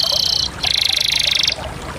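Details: Canary singing two dense rolled tours in a row, the second longer and wider in pitch, with a steady pulsing texture throughout.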